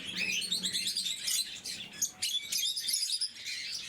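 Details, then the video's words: Several caged blue-mutation lovebirds during morning feeding: dense, overlapping high chirps and squeaky twitters, fast and irregular, with a faint low hum indoors. "Попуги неразлучники, утреннее кормление"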